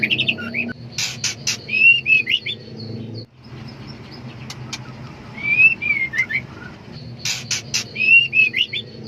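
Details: Female white-rumped shama in heat, seeking a male: short whistled notes and slurred chirps in bursts, with sharp clicking strokes between them, over a steady low hum.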